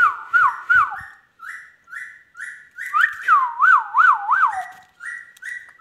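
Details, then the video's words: Talking pet Indian ringneck parrot whistles a series of short level notes. A burst of four quick looping warbles in the middle is louder, and more flat notes follow. "Indian ringneck |parrot |amazing r|ingneck"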